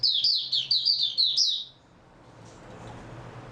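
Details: White-eye kept as a cage bird, 3 March 2022, after good sleep. A single long run of high, fast, sweet twittering notes ends abruptly, followed by soft room hiss.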